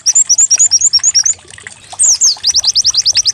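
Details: White-eye song used as a decoy to get a bird singing: rapid high chirped notes repeated about three per second, a brief pause, then quick rising upslurred notes in a fast series.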